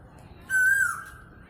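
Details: Asian koel, called cuckoo and koyal, song: a single clear whistled note held about half a second, rising slightly then easing down at the end, over a low murmuring background.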